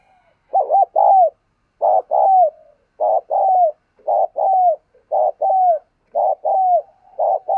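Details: Decoy spotted dove coo used to stimulate and excite males: mid-pitched, mellow cooing in short double or triple notes, the last note sliding down. Phrases repeat roughly every second with brief silent gaps, about seven phrases in all.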